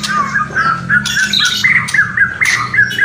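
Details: White-rumped shama kretekan and whistling: short, ringing, whistled notes repeated in quick succession, broken by harsh crackling bursts, with a low hum underneath.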